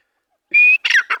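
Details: Grey francolin giving a spirited call: one loud, clear, slightly rising whistle, then a quick run of harsh, squawking notes with a falling slur, ending abruptly within about a second, with no other sounds.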